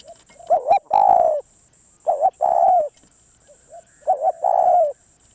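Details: Spotted dove, a wild-caught bird being brought back into calling form, giving low mellow coos: a quick doubled note followed by a longer drawn-out coo, repeated three times about every 1.8 seconds, with a faint steady high whine behind.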